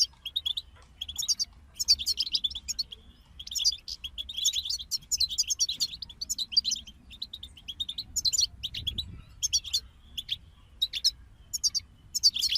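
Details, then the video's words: European goldfinches singing as a group to motivate other songbirds: a continuous stream of high, liquid twitters and chirps, bursts of trilled phrases separated by short pauses, and a low rumble just past the middle. "King of Songbirds Goldfinch Group Motivations for Songbirds"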